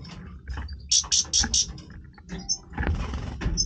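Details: European goldfinch with its breeding voice. Four loud, harsh, buzzy high notes come at an even pace, followed by softer scratchy sounds and a few brief chirps against background noise.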